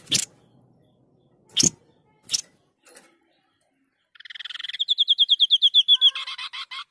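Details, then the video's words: After a few sharp knocks, a Sniper babbler (white-breasted babbler, Stachyris grammiceps, an insect-eating forest bird of Java) bursts into a fast, high, evenly repeated rattling trill ending in buzzy chirps. "Tembakan burung sniper gacor"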